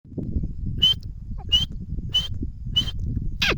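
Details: Grey francolin (teetar) calling: five short, sharp, high notes repeated about every two-thirds of a second, each a brief bright whistle-like chirp, over a steady low rumble of background noise.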